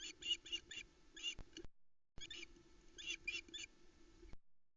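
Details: Alarm calls of a female osprey reacting to an intruder at her nest in Arkaig Community Forest, Scotland, July 2020. Rapid strings of sharp, high, clipped whistles come in two bursts with a short gap, over a low hum.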